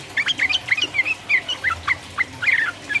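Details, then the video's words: Sooty-headed bulbul song used to agitate rivals, 'uplik uplik' style: short bubbly whistled notes in quick clusters with small gaps, some higher slurred tones. "trucuk gacor ropel uplik uplik merangsang lawan"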